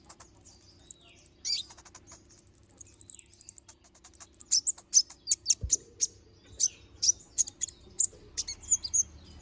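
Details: Little spiderhunter song opening with two fast, very high buzzy trills, followed by loud separate sharp chips and a brief low thump.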